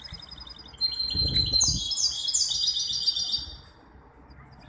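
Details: At a 23 May 2021 singing contest in Casablanca's Ain Chock bird association, a hybrid goldfinch delivers a rapid, high, tinkling phrase of repeated trills and twitters lasting over two seconds, with a brief low thump before it.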